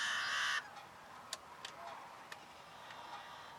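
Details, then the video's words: Yellow-headed blackbird calling: a loud, harsh, broad buzz lasting about half a second opens the recording, followed by a few faint, sharp clicks against a quiet background. "yellow-headed blackbird calling"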